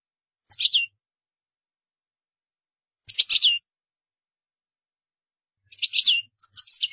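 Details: Goldfinch giving short, separated bursts of high twittering notes spaced a couple of seconds apart, ending with a quicker run of chirps.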